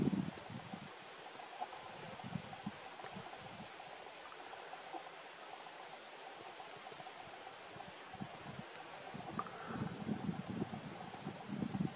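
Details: Steady rushing like running water or wind, with low rumbling thumps and no clear animal voice.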